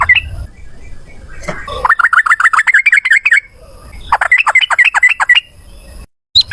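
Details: Long 'ropel panjang' fighting song of a male yellow-vented bulbul, played as a lure for singing: a few scattered notes, then two rapid strings of rising, chattering chirps with a short gap between.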